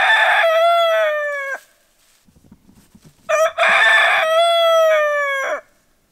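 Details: Two full rooster crows, each about one and a half seconds of strong harmonic tone ending in a drop. Faint rustling fills the gap between them.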